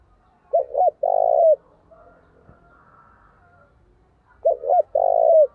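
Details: Energetic decoy spotted dove calling to provoke fights: two phrases about four seconds apart. Each has a short double coo and a sustained, trilled low coo, with quiet background murmur between them.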